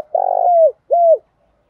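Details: Decoy female spotted dove calling to provoke males: a long, slightly rough, low coo that falls at its end, then a shorter smooth coo, both mellow and hollow, in an otherwise quiet setting.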